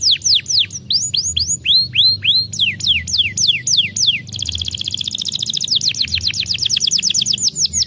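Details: Canary song played to coax a silent canary into singing again: loud, clear downward-sweeping whistled notes repeated about three per second, then a fast rattling trill of rapid notes, then more sweeping notes; faint low hum underneath.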